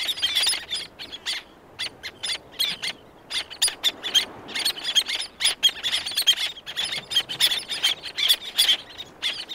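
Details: Black-naped terns calling, several near and others distant; sharp high yelps come in clustered bursts separated by short lulls.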